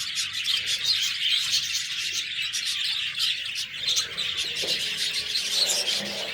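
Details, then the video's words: Several budgerigars chattering at once, a steady wash of high chirps, squeaky notes and scratchy warbling that rises and falls slightly in loudness. "Budgies Birds talking sound Birds chirping sounds"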